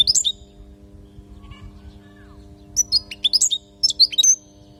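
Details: European goldfinch from Palestine giving its training song for chicks: a brief burst of high twitters at the start, a pause with low hum, then a longer rapid string of sharp chirps and slurred tinkling notes.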